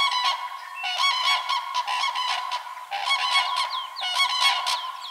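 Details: Common Crane calls: ringing, bugled honks mixed with rising and falling yelping notes, several voices overlapping in rapid bursts throughout.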